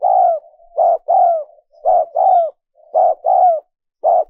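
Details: Spotted dove, a lure recording for wild doves: repeated pairs of coos, each a short note and a longer falling one, linked by soft low murmurs, roughly one phrase per second.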